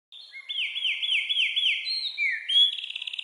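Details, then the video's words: Wren singing from India: loud, clear song of five quick down-slurred whistled notes in a row, followed by a lower sliding note and a bright high buzzy trill at the end, in a quiet background. "A Wren's real voice..."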